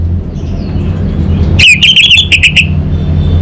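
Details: Orange-headed thrush (anis bata) from Singaraja in North Bali, delivering a rapid 'kabel konslet' style burst: about a second of fast stuttering loud whistled notes after near-silence, with a constant low hum behind.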